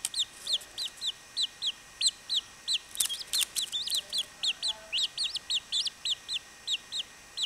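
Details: Baby chachalacas giving high, thin peeps, each a short rising-then-falling note, repeated steadily about twice a second, with a burst of overlapping calls and clicks in the middle.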